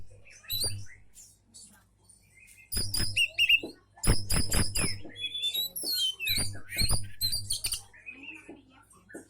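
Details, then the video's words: Oriental magpie-robin singing to draw replies from other magpie-robins, a lively run of shrill chirps, buzzy notes and fluid whistled phrases in dense clusters, set against a constant low humming background. "Kacer mana yg gk akan nyaut denger suara burung kacer ini"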